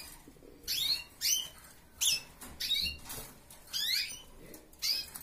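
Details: Aviary canaries kept by a family member give crisp rising chirps and quick squeaky notes in irregular bursts, several per second at times, with faint rustling and low indoor noise between them.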